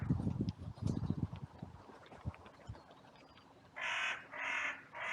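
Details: Crows on a sunny day in a cemetery, recorded by a trail camera during an outcry after two crows fought and others rushed in. Low thumping and rustling give way to three harsh, buzzy caws near the end.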